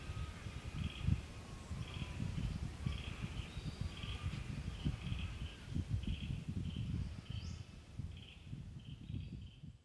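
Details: A male grey fantail darting after insects on the Illawarra Escarpment during rain repeats short, high, sharp chips about twice a second over a steady rumble of rain and wind; lyrebirds, sulphur-crested cockatoos and frogs call in the background.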